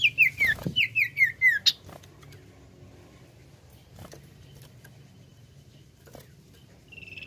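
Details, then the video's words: Common iora, 'nyiul' song style: seven quick descending whistled notes at the start, then mostly quiet with soft low hum and a faint trill beginning at the end. "SUARA CIPOW NYIUL MBOH"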